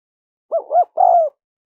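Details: One low, mellow spotted dove phrase, played to attract wild doves: two short hooting notes followed by a longer, slightly falling coo, then silence.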